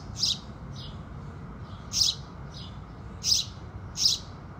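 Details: Four loud, bright house sparrow chirps about a second apart, with fainter chirps between them, heard at sunrise over quiet low noise.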